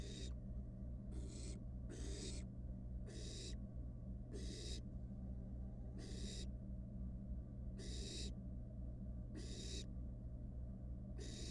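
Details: Wild barn owl chick in a monitored nest box, toying with its meal: series of short to medium raspy hisses, some paired closely, others spaced over a second apart, above a persistent low hum.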